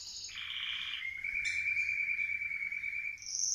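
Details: Canary after moulting, practising its song: a long, steady whistled trill held on one pitch, with short higher notes at the start and end; the sound is fairly quiet.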